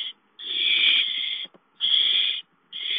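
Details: Owl at a nest while a gopher is delivered: rasping hisses over a second long, separated by clean pauses, the third call starting just before the end.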